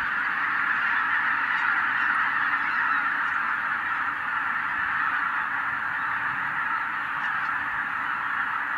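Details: A white-tailed eagle sends tens of thousands of wild geese aloft. Their honking blends into a dense, roaring mass of calls, unbroken from start to finish.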